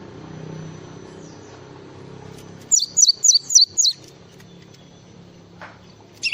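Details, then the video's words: Java sparrow singing a single tight run of five high, hooked chirps near the middle, then a lone note at the end, over soft low background noise. "SUARA BURUNG GLATIK FULL ISIAN"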